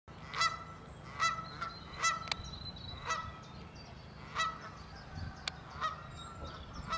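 Canada goose giving loud, nasal honks about once a second, each a harsh, slightly rising note, over a low background rumble.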